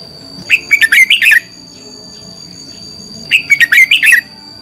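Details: Red-whiskered bulbul used as a lure bird, singing competitively to train and stimulate other birds: two bursts of rich, warbled, chirpy phrases about two seconds apart, with a steady high whine in the background.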